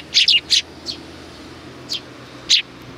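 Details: Sparrow chirps from 29 May 2019: three loud quick chirps close together, then spaced single chirps.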